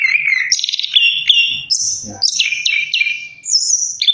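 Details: Orange-headed thrush singing a rich, varied song of clear whistled phrases that jump between low and very high pitches, with some slurred notes and quick trills. A few soft low thumps sound in the background.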